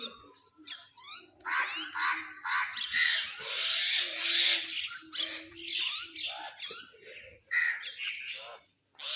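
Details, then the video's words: Crows squabbling over food: harsh, raspy squawks in dense overlapping bursts, some loud, with brief pauses. Sharp downslurred chirps from other birds mix through the din. "Crows fight for food | Crow Sound part 2"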